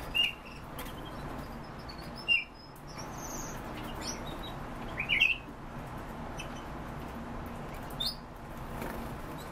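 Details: European bee-eater calls: short rolling, trilled notes given singly and in brief clusters at uneven intervals, about one every two seconds, over a steady low background hiss.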